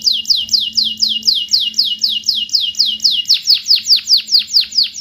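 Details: Canary song used as a lure recording to get canaries that have stopped singing to sing again. Whistled notes sweep steeply downward, repeated about three per second in a steady even tour, with a faint low hum underneath.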